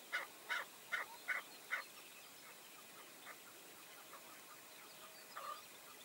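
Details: Chukar partridge at a tethered decoy hunt with five males approaching: five short, evenly spaced chuck notes in quick succession over about two seconds, followed by fainter scattered notes and a brief louder note near the end.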